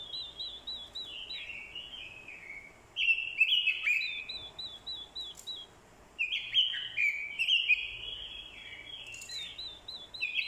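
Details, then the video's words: Fighting song of a decoy orange-headed thrush stirred by a female's call: repeated thin whistles, then loud rolling warbled phrases in two main bursts separated by brief quiet gaps. "Chim Quế lâm mồi, hót đấu cực hay. kèm tiếng quế lâm mái, kích trống hót đấu hay."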